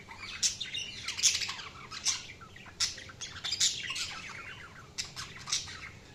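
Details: Budgerigar chatter of quick, squeaky chirps and scratchy warbles, with sharp accented notes roughly every second.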